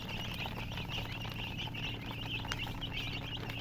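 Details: Soft, rapid peeping from baby chicks runs throughout, many small high notes overlapping, over a steady low hum and a faint click.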